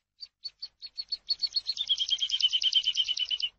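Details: Song of a Eurasian skylark, meant for tutoring captive birds. Spaced, sharp high chirps speed up into a dense, buzzy, rapidly repeated trill that runs to the end. No other sounds.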